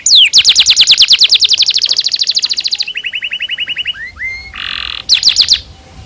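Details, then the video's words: Tutor recording of a canary's long cuit-cuit song: a fast rolling trill, then a lower, softer rattle, two rising whistles, a short harsh buzz and a closing burst of rapid chips. "PANCINGAN Kenari GACOR PANJANG Cuit CUIT EMOSI"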